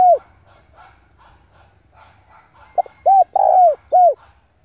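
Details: Spotted dove decoy calling rivals to fight: after a soft murmuring background, a clipped double note then three arched coos, the middle one longest and loudest, each dropping at its end.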